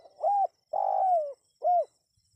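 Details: Spotted dove coo sequence for attracting wild birds: an arched coo, a long level coo easing downward, then a short rounded note, clear and low, with a faint steady hiss above.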